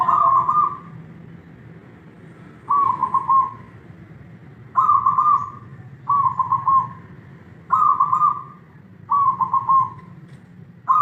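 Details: Kept Zebra dove cooing: short, rolling, warbled coo phrases repeated about every one to two seconds with brief pauses, over a steady low background hum.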